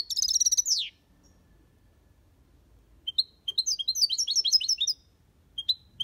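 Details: European goldfinch singing the Malaga copy style in an aviary: an opening buzzy trill, two seconds of quiet, then a lively string of liquid twittered notes and a few closing chirps.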